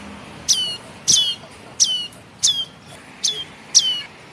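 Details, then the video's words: Young red-headed tailorbird begging, used as a lure: six sharp, high downward-swept chirps with bright overtones, each a brief squeak sliding lower, spaced about two-thirds of a second apart over quiet background hiss. "Suara Anak Burung Prenjak kepala Merah Atau prenjak Atas Untuk Pikat"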